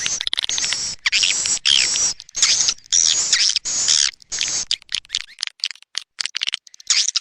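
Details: Swiftlet calling sound used to attract swiftlets: dense, buzzy high twittering in bursts about a second long, separated by short gaps, then quicker broken chatter toward the end.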